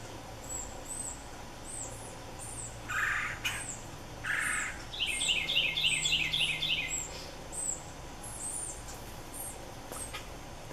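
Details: Red-bellied woodpecker fledglings being fed in trees, rapid series of rising chattering notes around the middle, with other high thin bird calls repeating throughout and a person talking nearby.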